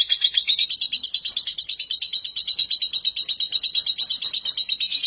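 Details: Lovebird in ngekek song, delivering one unbroken, very high rattling trill of quick, even pulses for five seconds, steady in loudness throughout.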